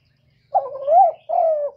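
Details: Spotted dove lure call to stimulate doves, one loud cooing phrase: a short note sliding into a long rising-then-falling coo, followed by a steady falling coo.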